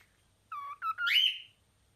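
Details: Cockatiel singing: a steady whistled note, then a short break and a bright whistle sweeping upward into a long drawn-out tone, in quiet surroundings.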